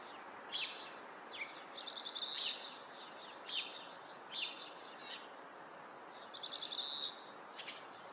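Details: Oriental greenfinch, breeding-season male, in a Hokkaido neighbourhood in Japan, captured on a Nikon COOLPIX P950: short bright chirps interspersed with two high, buzzy, stuttering trills, one near the start and one near the end.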